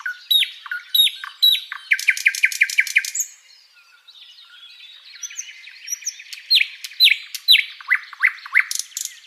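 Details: Flycatcher song for tutoring: bright downslurred chips, a rapid trilled run, a quiet jumble of twittering, then more loud slurred chirps and a brief buzz.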